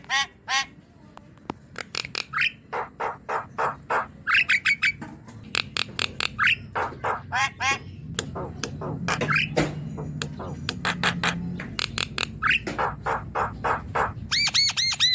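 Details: Javan myna singing vigorously, used to coax a quiet, lazy young myna into song: a long run of harsh, rapidly repeated squawking notes mixed with short rising whistles, delivered in dense bursts with a low hum beneath.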